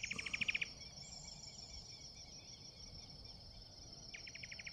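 A Rusty-backed Antwren sings a quick run of evenly spaced, chippy notes over a steady insect drone.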